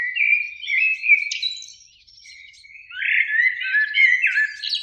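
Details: Spring evening song of a Eurasian blackbird, one of two in a beech by a lake: rich, fluty warbled phrases, a short pause, then another throaty phrase that ends in high scratchy twittering.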